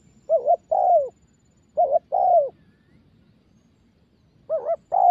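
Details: Caged young spotted dove being trained to coo: paired phrases of a short wavering note followed by a longer, falling, hollow coo, repeated about every two seconds against low background hum.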